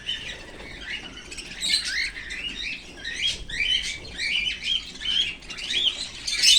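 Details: A pet cockatiel playing with bangles gives a run of bright, high chirps and squeaky tweets, with light metallic clinking from the bangles.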